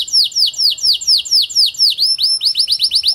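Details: ['Song of a Panda canary, played to get reluctant canaries singing: steady run of bright descending whistled notes about four per second, ending in quicker, higher chirps.']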